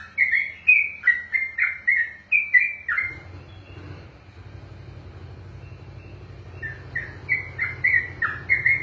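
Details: Trucukan (yellow-vented bulbul) ropelan song: fast whistled notes for three seconds, then a pause filled with low rumbling background, after which the bird resumes its quick stepping whistles.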